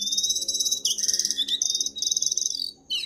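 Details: Jongkangan in full gacor song, used as masteran for training birds: sustained high buzzy trills broken by short gaps, ending with a falling whistle.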